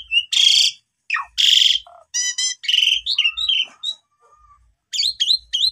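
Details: Asian pied starling singing long and lively, meant to provoke silent starlings. Loud harsh rasping bursts alternate with slurred whistles, a quick stuttering rattle and a few sharp rising chips at the end.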